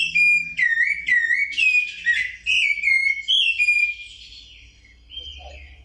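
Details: Rufous-bellied thrush (sabiá-laranjeira) of Brazil singing clear, fluty whistled phrases, each short and varied, rising and falling, about two a second, fading at the end over a faint low hum.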